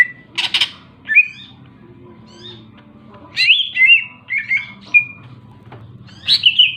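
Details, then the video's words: Greater green leafbird song of scattered chirps and short slurred whistles, one brief noisy burst near the start, over a soft low hum. "burung cicak ijo super gacor"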